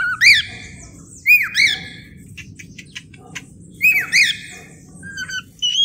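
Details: Cockatiel calls used to tame cockatiels: loud, sharp squawks that rise then drop, given singly or in pairs with silent gaps, plus a few faint high chirps near the end.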